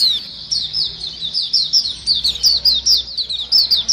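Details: Lure recording of a chattering white-eye flock: a dense, almost unbroken stream of high, sharp down-slurred chirps, several birds overlapping rapidly throughout.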